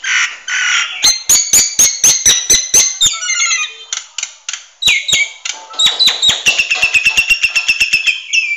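A Nias hill myna gives loud, ringing whistles and harsh clicks in quick bursts, mixing piercing high notes with sharp percussive snaps.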